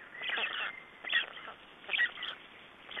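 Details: At a black stork nest in Estonia, 3 June 2011, during nest exchange and feeding: a rough, grating burst of calls, then two shorter hoarse notes about a second apart.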